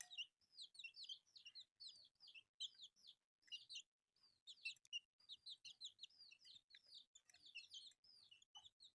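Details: Colourful baby chicks eating rice keep up a steady stream of high, piercing, down-curved peeps from many birds, with few pauses.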